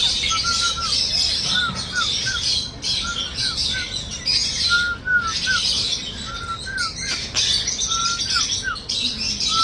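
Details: Singing cockatiel gives short whistles, mostly falling slurs and a few level notes, in pairs and triplets roughly every second, with a dense high chatter of other birds throughout.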